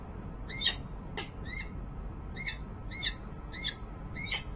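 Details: Resident female peregrine falcon at a nest ledge on the Rachel Carson building, Harrisburg, Pennsylvania, January 19, 2013, recorded by a nest camera, possibly calling to a male off camera: seven sharp, harmonic, slightly rising notes spaced irregularly, with low background rumble.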